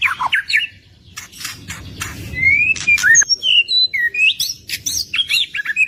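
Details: Gacor singing of a white-rumped shama: rapid chattering notes, then a flowing run of high varied whistles and twisting slurs packed closely together, sustained and energetic.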